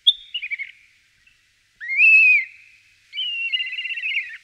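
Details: Common starling giving clear whistles: a short wavering note, a loud arched whistle, then a longer trilled, quavering whistle.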